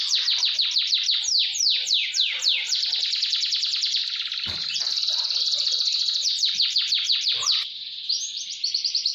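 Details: Canary singing a fast rolling training song: long series of rapid repeated downward sweeps merging into a continuous trill, lasting most of nine seconds.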